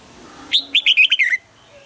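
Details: Red-whiskered bulbul in morning song training for the double-note 'âm kép già rừng' style, one loud, fast phrase of slurred liquid whistles after a faint low hum.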